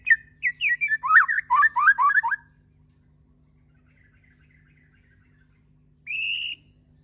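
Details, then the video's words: Bornean white-rumped shama in morning song. It delivers a fast jumble of chattering, warbled notes for about two seconds, falls silent, then gives one steady high whistle. "Kicauwan murai batu di pagi hari"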